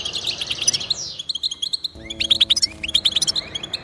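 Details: European goldfinch singing to motivate pet goldfinches: quick twitters, a drawn-out descending slur, then a low steady hum briefly underneath before crisp chirping phrases return.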